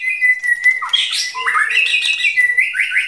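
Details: Female white-rumped shama prompting a male to practise singing: a sustained steady whistle, then a mix of buzzy smeared notes and rising slurs, ending with quick upward whistles.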